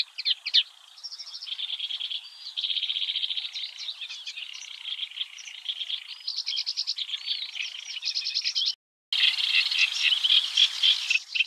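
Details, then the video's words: Eurasian reed warbler song in the early morning at the Oostvaardersplassen, the Netherlands: long run of harsh churring trills and chattering phrases, a brief dropout near the end, then louder scratchy chatter resumes with some background hiss. "Singing Eurasian Reed-Warbler"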